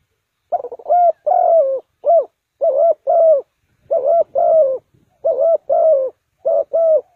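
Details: Decoy spotted dove calling to lure wild birds into a trap, Ninh Thuận: steady series of paired mellow coos, a short note followed by a longer wavering croo, repeated about every second in a clean quiet setting.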